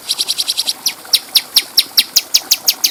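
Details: Bulbul, local name cucak cungko, on a clear recording meant to train other birds: a fast run of tiny high ticks, then evenly spaced sharp descending chips about five per second.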